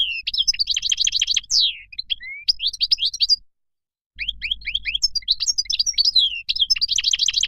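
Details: Moroccan goldfinch singing a fast, jangling twitter of bright tinkling notes and quick slurred trills, a short descending whistle near the middle, a break of about a second, then the same twittering again.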